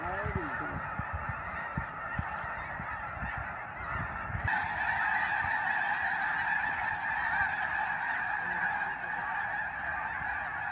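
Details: Large flocks of wintering Snow Geese at Tule Lake on the California–Oregon border: a continuous dense roar of many overlapping honking calls, with brief louder nearer honks and low rumbling noise underneath.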